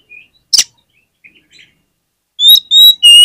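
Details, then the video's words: Song of an oriental magpie-robin, played as a lure to draw other magpie-robins into song: a single harsh rasp and a few soft notes, then three loud, pure whistled notes in quick succession, each one steady or gently falling. "PANCINGAN KACER ANTI GAGAL !! KACER APAPUN DI JAMIN LANGSUNG NGOBRA ON NGUNCI"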